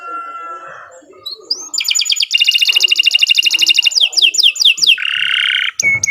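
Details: Canary song used as a lure for other birds: a soft opening whistle, then a dense rapid trill, a string of falling whistled notes and a buzzy held phrase.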